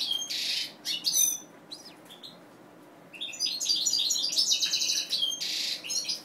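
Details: Captive mutation European goldfinch with buzzy nasal bursts and sharp high chirps, a pause, then a lively twittering trill of bright notes and another harsh buzzy burst at the close.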